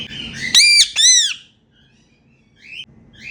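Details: Indian ringneck parakeets kept as pets, making happy sounds during playtime indoors: a soft chattering note, then two loud harsh arched squawks in quick succession, followed by faint softer chirps.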